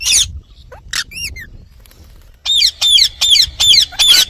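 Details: Indian ringneck parakeet giving harsh, loud screeching squawks: a few scattered calls, a short pause, then five rapid, evenly spaced screeches over the last two seconds.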